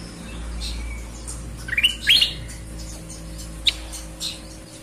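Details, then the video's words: A lively sooty-headed bulbul (kutilang) with a clear voice gives a quick burst of clear, bright whistled notes, then two more isolated chirps, over a steady indoor electrical hum. "Kutilang gacor suara bening,mirip cucak ijo!"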